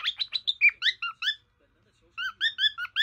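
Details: Caged pet male cockatiel serenading his own picture with quick chirps and short warbled whistles, a brief silence, then another run of bright two-toned notes.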